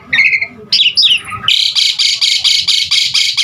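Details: Cage-bird training song of an Asian pied starling: whistled and warbled phrases, then a steady run of about ten harsh, pulsed chattering bursts repeated several times a second.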